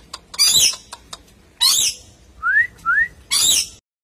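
A red lory gives three harsh, grating screeches about a second apart, with two short rising whistles between the last two.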